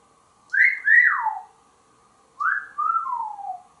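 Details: Pet African grey parrot whistling indoors in Texas: two clear whistled phrases, each rising then gliding down, about two seconds apart, against a quiet steady background hum.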